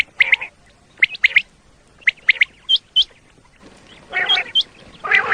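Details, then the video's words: Quail hunting lure from Pakistan: a common quail gives clipped triple notes, a brief quiet gap after each burst, then higher hooked whistles and a rough, broad squawk toward the end. "Common Quail Call 2025-2026 صوت السمان واضح للصيد Batair Ki Awaz بٹیر کا شکار"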